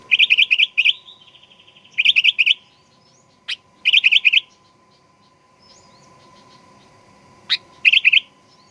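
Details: Sooty-headed bulbul song used as a lure to provoke another bird into aggressive singing: short bubbly chirping phrases repeated in bursts, separated by sharp clicks, over a steady faint hum.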